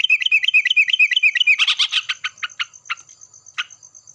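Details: Yellow-vented bulbul singing in the morning, answering another bulbul: loud bubbly notes repeated rapidly, then a looser series of sharp chirps that slows and spaces out, over a steady high thin whine.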